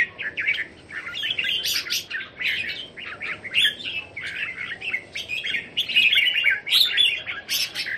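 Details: Red-whiskered Bulbuls held in cages at a Thai home, recorded 27 January 2021, chatter continuously: rapid chirps about four per second, bubbling warbled phrases and occasional sharp high squeaks.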